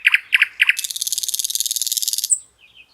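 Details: Common nightingale singing in a lush green forest beside a river: three pairs of sharp doubled notes, then a long, dense, buzzy high trill of about a second and a half, ending in a thin upward flick.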